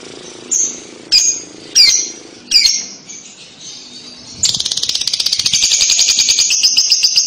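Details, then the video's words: Lovebird chatter meant to lure young birds into answering: four short sharp squeaky chirps, then a sustained rapid buzzing trill with pulsing rhythm carrying on for about three seconds. "pasti lovebird paud akan nyaut dengar kekek an labet ini"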